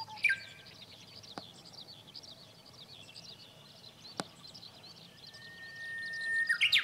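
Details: Japanese bush warbler singing: a long, steady, clear whistle that drops slightly in pitch, running into a sharp bright flourish at the end. A brief bright note opens the recording, over constant high twittering from other birds and two sharp clicks.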